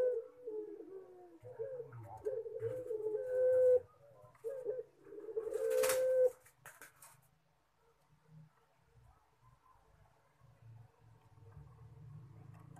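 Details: Cooing collared dove of the puter pelung kind, with several quick broken coos and two short held notes in the first six seconds, a sharp click, then near quiet with low rumble.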